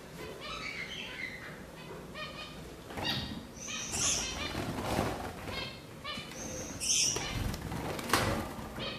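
Gouldian finches give short, nasal, buzzy chatter notes with a few thin high whistles, over rustling and fluttering wings.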